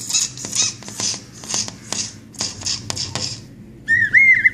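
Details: Brahminy starling giving a run of short, harsh, hissing notes in quick irregular bursts, then a clear, wavering whistle near the end.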